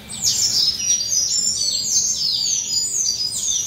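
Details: Western citril male, two to three years old, singing quietly while molting: a fast run of high thin whistles and slurred downward notes repeated in quick succession, clean and steady throughout.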